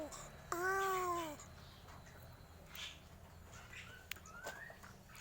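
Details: Crow giving a strange call: one drawn-out, nasal, arched note with clear harmonics that rises slightly, then falls. It is followed by faint scattered background chirps and clicks.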